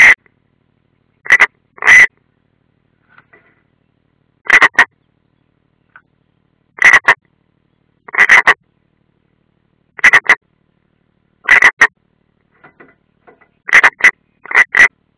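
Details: European roller calls recorded at a nest in Ādaži training ground, Latvia, 30 June 2016, where an unringed bird appears: dry rasping double notes repeated roughly every one to two seconds against silence.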